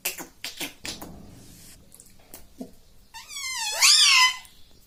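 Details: Pet talking parrot, said to say "mummy": soft taps and clicks first, then a loud, rich, wavering screech that rises and falls over about a second.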